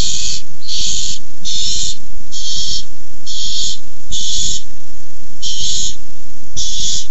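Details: A run of eight rasping barn owl hisses, short and closely spaced, during a food fight over a tiny mouse, 6-4-15. Soft scuffling and thuds are heard underneath.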